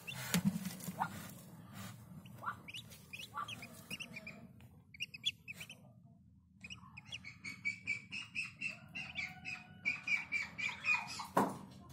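Newly hatched Muscovy ducklings give high, thin peeps in quick, uneven runs over a low background hum.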